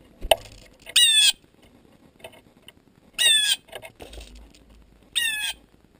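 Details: Common redpoll at a tray feeder on a sunny day giving three short, buzzy, rattling calls about two seconds apart, rich and twangy in tone, with a soft tap near the start.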